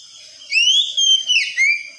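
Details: Oriental magpie-robin (kacer) sound used as therapy to get a young bird to sing the wikplong style: one loud, pure whistle that rises, holds level, dips and rises again, lasting about a second and a half.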